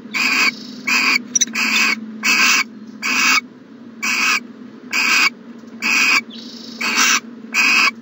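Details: Morning at an owl nest box, January 2020: a steady series of about eleven short, noisy screechy hisses, some run close together, others with longer gaps, over a soft indoor hum.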